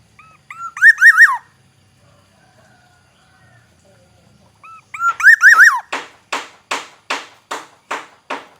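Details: Black-naped oriole from Aceh gives two rolling fluty whistled phrases, then a steady series of about eight harsh, rasping notes repeated every half second.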